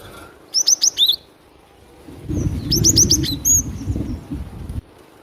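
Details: Cinereous tit (glatik batu) singing energetically, played to lure birds: short runs of three to four high, thin, whistled notes, a pause, then another quick run with a rising whistle, while low rumbling noise fills the middle.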